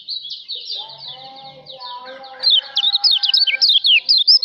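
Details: Song of the kecial lombok, Lombok white-eye, for training other songbirds: soft high twittering with low whistled tones at first, then a loud run of rapid, sharply pitched chips and trills.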